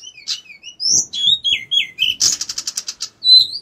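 A Bar-winged prinia sings high, bright chirps and slurred whistles, then a fast run of about eight sharp repeated notes, ending on a clear whistle.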